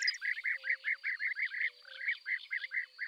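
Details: Eurasian tree sparrow (Passer montanus) chirping rapidly and continuously, roughly four to five short clipped notes per second, with a brief pause midway, over a faint steady high hum.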